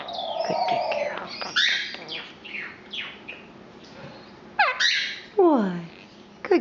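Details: Pet Quaker parrot, a female almost three years old, indoors, chattering in varied chirps and falling whistled slurs, with a mumbled speech-like hum at the start and several downward-sweeping squeaks near the end.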